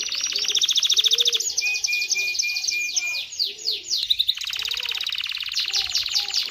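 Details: Canary singing to stimulate mating: rapid high buzzy trills alternate with a row of short level whistles and sweeping notes, with softer low warbling sounds underneath.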